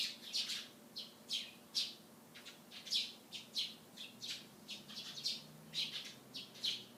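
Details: Eurasian tree sparrows chirping on a morning beside a white sports car: separate high, sharp chirps, often in pairs, coming roughly every half second against a faint low hum.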